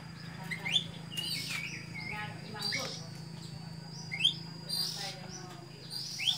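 Sooty-headed bulbul giving short, bright whistled phrases about every two seconds, over a steady low hum with faint voices in the background.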